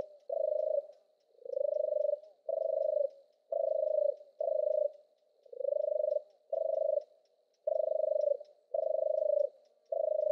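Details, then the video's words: European turtle dove purring its song: about ten low, throaty, trilled notes in a steady series, roughly one each second, some swelling gently in pitch; quiet background. "Suara burung merpati kura-kura, european turtle dove bird"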